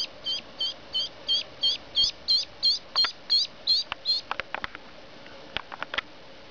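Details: Two three-day-old female ducklings, one Blue Swedish and one Buff Orpington, just collected after shipping from a California hatchery; a run of about a dozen high, even peeps in steady rhythm, then scattered clicks and handling noise.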